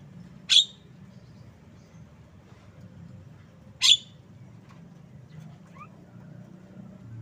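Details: A Javan myna utters two abrupt, rasping chip notes about three seconds apart, followed by a faint rising whistled squeak, against a steady low hum.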